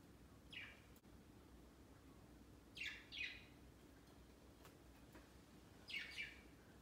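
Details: Indoor pet budgerigars gathering on a Christmas tree set up beside the cage for Christmas Day, their first. Scattered chirps come singly and in quick doubled pairs, each a short buzzy downward sweep, with faint clicks of movement between.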